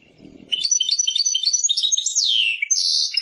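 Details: European goldfinch, called Persian goldfinch, singing: after a faint low murmur, a continuous rapid twittering of bright, tinkling high notes with buzzy trills and a descending slurred whistle near the end.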